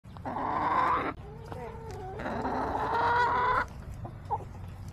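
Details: Backyard chickens recorded on July 17, 2024: two loud, drawn-out harmonic crows, each about a second long and separated by a short gap, with a quieter raspy call in between and faint low rumble underneath.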